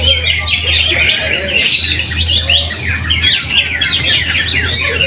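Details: Contest greater green leafbird (cucak hijau), first-place winner at a weekly latber practice event in Trowulan, Mojokerto. A dense, fast stream of sharp chips and slurred whistles runs without pause over a steady low hum, with other birds singing alongside.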